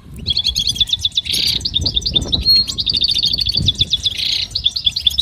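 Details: Goldfinch song used for training and motivating other goldfinches to sing: rapid twittering, bright trills and buzzy notes run almost nonstop, with faint low rumbling underneath.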